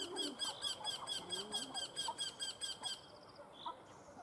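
A Eurasian wryneck gives a run of about a dozen high, nasal, even notes, roughly four per second, then falls silent; faint other chirps follow.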